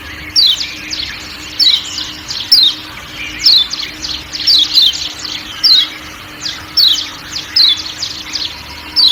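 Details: Kecial kuning white-eye of Lombok calling 'ciak ciak' over forest ambience: repeated high, thin chirps that drop in pitch, spaced about a second apart and occasionally paired, with a faint hum below.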